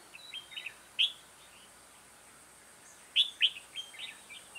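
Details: Red-whiskered bulbul serving as a decoy for trapping, 2 October 2018. Two bursts of bright, quick whistled notes about two seconds apart, each followed by short warbled fragments.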